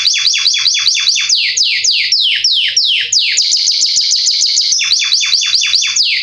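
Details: Belgian Salsa canary singing loudly and without pause, a song used to teach young canaries to sing: fast trills of sharply falling, ringing notes, several each second, in shifting phrases.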